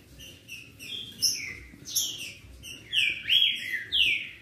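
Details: Green-winged saltator singing to excite a rival bird into song, loud rich whistled phrases that sweep down and rise, building in strength toward the end, with a few thin high notes in between.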